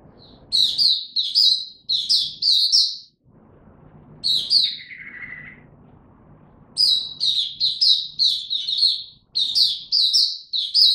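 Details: Oriental white-eye in training form, singing buka tiong: bursts of quick, sharp high chirps in clusters of four to six notes, separated by brief silences, with one lower buzzy note midway.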